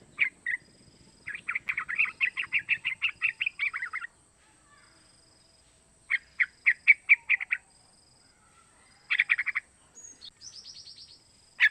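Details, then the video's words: Young sooty-headed bulbul, three months old, learning to sing, its call used to provoke other bulbuls into singing; bursts of rapid chirpy notes around two to three kilohertz in quick runs, separated by pauses, with a faint steady high hiss. "Suara Panggilan trucukan muda pancingan trucukan agar bunyi"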